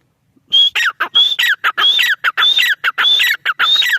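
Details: Grey francolin calling loudly: a looping phrase of a high, clear whistled note followed by harsh descending grating notes, cycling roughly every half-second without pause, close and dominant against silence.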